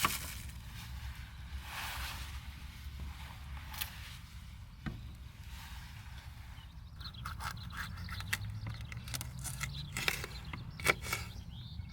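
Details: Wind rumbles steadily with scraping and rustling handling noises, and no animal calls are heard.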